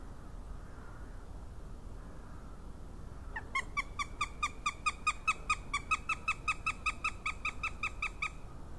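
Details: Young northern goshawk on a Latvian nest webcam, 20 March 2018, calling in a fast, regular series of sharp, harsh, ringing notes, about two to three per second for five seconds after a quiet start, over low steady background rumble.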